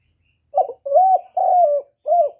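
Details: Spotted dove song in the standard voice used to excite and lure birds for trapping, recorded directly with no background noise. A single clean phrase of four mellow, low coos: brief opener, two sustained middle notes, a short final coo.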